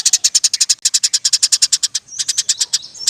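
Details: Roll tembak song of a persistently singing Eurasian tree sparrow, a tutor for other songbirds: a steady stream of loud, quick, high chirps, then a slightly softer run with thin whistled slurs mixed in.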